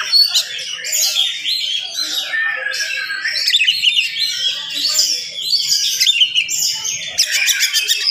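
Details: Oriental magpie-robin singing vigorously in the morning at a fast, dense tempo, meant to rouse other magpie-robins: a continuous rush of varied whistles, chirps and sweeping notes, mostly high-pitched, with brief rattling bursts near the end.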